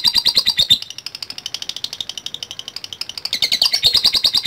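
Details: Ngetik call of a lovebird reacting to a lure recording: a rapid train of sharp, high chirps, louder and harsher at the start and end.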